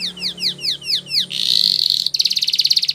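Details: Canary training song: six evenly spaced falling whistled notes, then a loud, dense buzzing roll and a rapid pulsing trill at high pitch.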